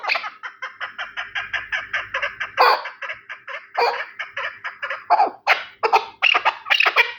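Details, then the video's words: Terali chukar partridge calling, a fast train of short clucks that grows louder and breaks into spaced, emphatic chukar notes toward the end. "Кабки Терали"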